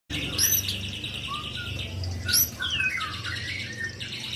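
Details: Young white-rumped shama singing: a rapid high buzzy trill, then short clear whistled notes and sweeping slurred phrases, with a steady low hum beneath.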